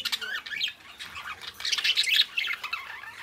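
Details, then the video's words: Two pet budgerigars chattering: quick squeaky chirps and rising-falling warbles in a rapid, uneven stream, louder near the middle. "Cute Budgies Chirping: 2 Hours of Relaxing Parakeet Sounds"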